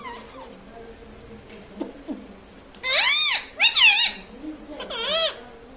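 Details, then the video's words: Talking pet parrot indoors, said to say mummy, papa and mitthu; low murmurs first, then three loud arching, looping voice-like phrases with rich harmonics, separated by short gaps. "mummy bolne wala tota - Papa Bolne Wala Tota - Talking parrot - Mitthu Mitthu"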